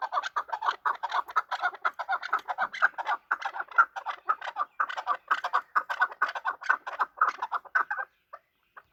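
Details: Chakor, the chukar partridge, calling while fighting: a steady rapid series of clucking, chattering notes about two per second, crowded and overlapping, stopping abruptly near the end with a few faint trailing notes.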